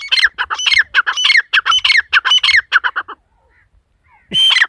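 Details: Female partridge (teetar) giving a lively korak call: a fast run of harsh, squawky notes about twice a second with bright whistled overtones, breaking off before a last loud burst.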